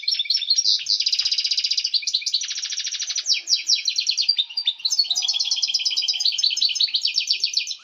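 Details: Excited male European goldfinch song, meant to stir females into breeding. A continuous rush of liquid twitters and rapid buzzy trills, with several dense rattling runs and no pauses.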